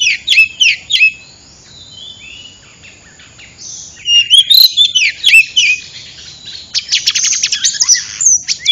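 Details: Lure recording of an oriental magpie-robin for bird trapping: clusters of sharp whistled and chirped notes separated by a quiet gap, then a fast burst of short repeated ticking notes.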